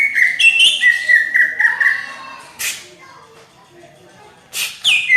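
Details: Greater green leafbird singing in 'gacor' style with a tight 'rapet' voice likened to a magpie-robin: a run of clear, sustained whistled notes, then a pause broken by two sharp, harsh bursts.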